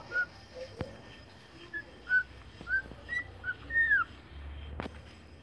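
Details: Young cockatiel learning to sing, giving soft, short whistled notes, some rising and one longer falling slur, spaced irregularly amid light background noise and a couple of sharp clicks.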